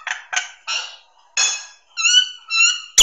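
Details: Song of a Nias hill myna for songbird training: several rough, harsh squawks, then two long, pure, ringing whistles with strong overtones.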